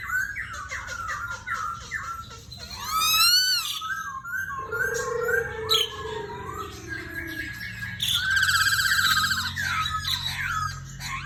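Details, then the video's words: Energetic black-throated laughingthrush song: many varied whistles, fast upward sweeps, warbled runs and trilled phrases rolling over eleven seconds, with a low steady drone in the background. "POKSAY HONGKONG GACOR"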